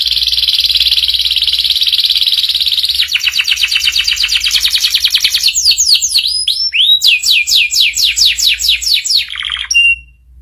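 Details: Canary master song in the ngeriwik style, played so young canaries learn it: a long buzzy high trill, then fast rattling rolls, then a run of quick downward-swept whistled notes ending on a short steady tone.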